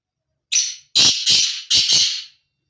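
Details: Black francolin male calling in the breeding season: one brief scratchy note followed by two quick doubled harsh, buzzy notes, loud and clear against a silent background.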